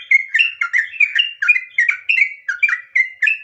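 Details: Sooty-headed bulbul, known locally as trucukan, singing a long, lively song for luring other birds: bright bubbly whistled phrases at a steady pace, about three to four notes each second, rising and falling with no other sounds.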